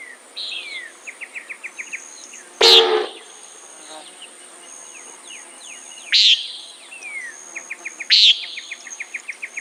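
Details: Common nighthawk uttering loud buzzy nasal calls at intervals of two to three seconds, against steady rhythmic ticking trills and scattered chirps from other animals.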